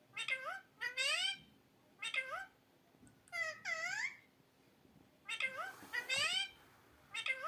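A parrot gives short bursts of mimicked, speech-like sounds, nasal and meow-like with rising and falling tones, in about six groups across the clip.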